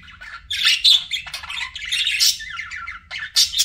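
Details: Pet budgerigars chirping in a busy, continuous chatter of buzzy warbles and squawks, rising and falling with brief pauses, louder bursts at the start and end; low room hum beneath.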